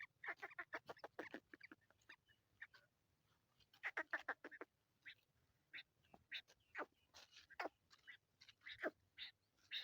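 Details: Captive Black francolin recorded on the 18th at 7:22: harsh, grating notes in rapid clustered bursts, then a slower run of separate rasping calls, with a faint low hum underneath.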